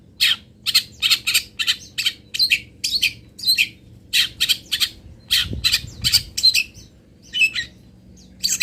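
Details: Long-tailed shrike fill-in song from Pati, used as tutor audio: steady string of harsh grating notes, quick pairs and triplets with short gaps, and a brief low thump near the middle.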